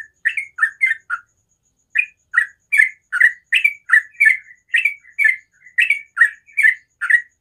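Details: Sooty-headed bulbul giving its ropel-style song in the morning: a burst of quick chirps, a short pause, then a sustained series of bright, rolling notes at about two per second.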